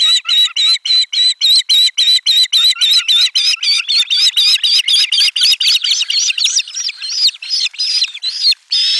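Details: At nest 4 on 12 July 2022, with lunch fish arriving, an Osprey gives a long, insistent stream of piercing chirps, nearly four a second, the notes growing more wavering and squeaky toward the end.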